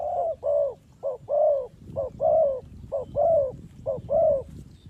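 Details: Spotted dove calling as a lure for bird trapping: low, soft hooting coos in a steady cycle, a short note followed by a longer drawn-out one, repeated roughly once a second, over a faint low rumble.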